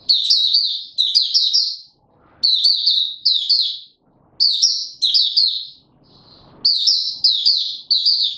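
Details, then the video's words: Caged white-eye giving its opening song, 31 December 2021: high, tumbling warbles in phrases of about a second, separated by brief quiet gaps with light scuffling. "Mata Puteh - Raja V2 Pushing him on form buka sing"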